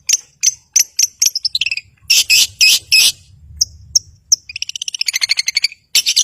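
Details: Long-tailed shrike in lively song meant to provoke rivals and silent birds: quick high chips, loud harsh rasping bursts and a long accelerating trill of bright notes, ending with more scratchy phrases.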